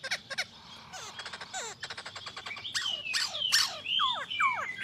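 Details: Masked laughingthrush, known as poksay Hongkong, delivering fast clicking trills followed by loud downslurred whistles and squeaky swoops over steady background noise.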